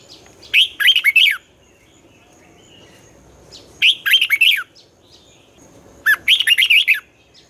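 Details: Red-whiskered bulbul singing its morning twisting-style song used for training young birds. It gives three lively phrases of five or six looping whistled notes, with gaps of two to three seconds between phrases.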